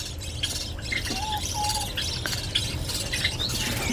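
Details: Young pet birds, chicks grown in a clay-pot nest in an indoor cage, give thin, high chirps and two drawn-out whistles over a steady indoor hum.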